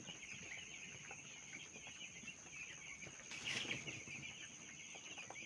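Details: Many small broiler chicks in a rearing flock, giving constant overlapping high peeping, with a brief rustling burst midway, possibly wing flapping or handling, over a steady high hum.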